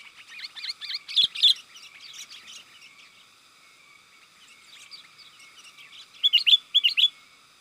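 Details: Sooty-headed bulbul lure call for attracting wild birds: rapid runs of bright chirps and bubbly notes, a busy burst at the start, a softer stretch, then another loud cluster near the end.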